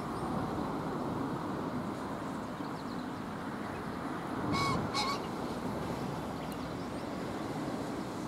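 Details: Male green pheasant on the Oita River bank at 8:17 on 7 May in light rain, one of three males spaced 70–80 m apart, gives a harsh, loud two-note crow 'kok-kok' once midway, over a steady hiss of rain.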